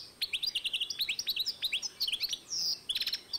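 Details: Hybrid of European goldfinch and canary, recorded in 2012, delivering continuous quick high twittering with slurred sweeping notes and a single drawn-out buzzy note near the end of the phrase.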